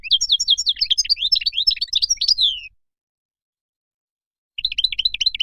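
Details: Moroccan European goldfinch song: a hurried stream of sliding, twittering notes ending in a downward-slurred note, then two seconds of silence before a fresh burst of quick chirps begins.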